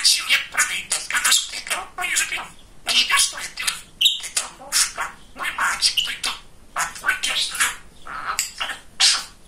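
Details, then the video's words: Very talkative male pet budgerigar chattering almost without pause: rapid speech-like syllables, grating warbles and occasional high squeaks. "Самый Болтливый Попугайчик"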